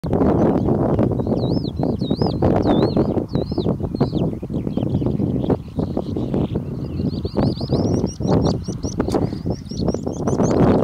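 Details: A calandra lark gives territorial song in the Rimonim fields, Israel: a high, looping warble, then a fast run of rippling, repeated notes, partly masked by strong wind rumble.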